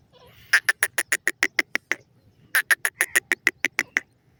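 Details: Pair of grey francolins calling: two bursts of about nine harsh, evenly spaced squawking notes, each burst lasting roughly one and a half seconds with a short pause between, over a quiet background.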